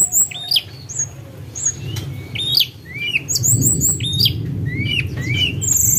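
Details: Snowy-browed flycatcher song played to lure birds, heard as a string of short, high, sliding whistles and upswept notes over a steady low hum, with a few faint clicks.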